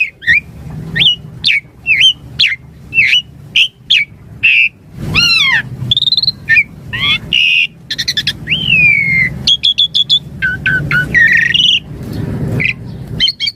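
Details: Varied 'gacor' song of a Javan pied starling, 'isian mompa' style, used for master training and luring starlings: a long run of short clipped whistles, sweeping downslurred notes and buzzy trills over faint low background hum.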